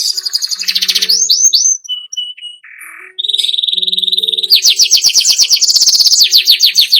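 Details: Atlantic canary song meant to prompt captive birds into singing, with quick upslurred whistles, a brief pause with soft low notes, then a long sustained high note running into loud, fast rolling trills.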